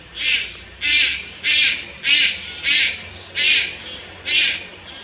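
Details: Juvenile Malayan night heron, Lugu, 30 July 2022, uttering seven evenly spaced, loud, scratchy hissing calls about every two-thirds of a second.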